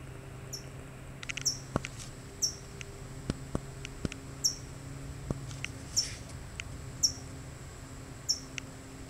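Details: California towhee (Melozone crissalis) guarding a chick gives sharp, high, metallic chip notes, about one each second, over a low steady hum and scattered faint clicks.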